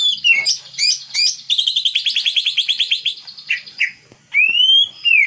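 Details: Green leafbird song used as a lure to coax out a bird's repertoire: sharp chirps, then a fast even rattle of about twenty notes, and finally a long rising whistle and a falling one.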